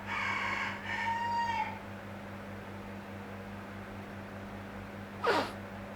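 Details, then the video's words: A neighbour's chicken that crows loudly every day, heard in the background of an indoor recording: one harmonic crow of about 1.7 seconds, a rough opening then a sustained, slightly falling note, followed by a short sharp knock and a steady low hum. "Oke teman-teman, kalau misalnya kalian mendengar suara ayam, itu ayam tetangga gue, nggak tahu kenapa dia suka banget teriak-teriak"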